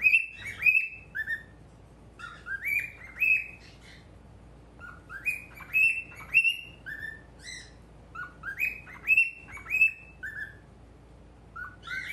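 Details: Pet male cockatiel before a mirror, chattering steadily with a busy mix of bright whistles, upward slides and short scratchy chirps, grouped in loose bursts about every second or two, with brief pauses between phrases and a quiet room behind.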